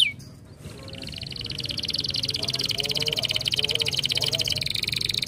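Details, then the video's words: Canary singing in recording intended to prompt singing: one high slurred whistle, a short pause, then a long rapid buzzing trill that builds steadily in loudness, with faint low voice-like murmurs underneath. "Estimula rapidamente o som de um canário"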